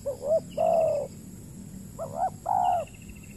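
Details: Spotted dove, wild, on peatland in Riau Islands, Indonesia, calling back at a decoy during trapping; two pairs of coos, each a wavering short note then a long mellow one, with a faint higher chirping trill and low hum.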